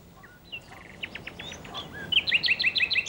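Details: Common Nightingale singing at nightfall deep in a forest: a short varied phrase of whistles and slurred notes, then a fast, even run of bright repeated notes, about three per second, over soft background hiss.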